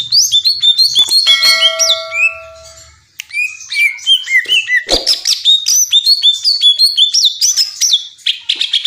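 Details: Greater green leafbird singing a fast, varied run of high whistled and chattering notes with sharp rising and falling slurs; a few steady pure tones sound briefly early on, and a short pause comes just after three seconds.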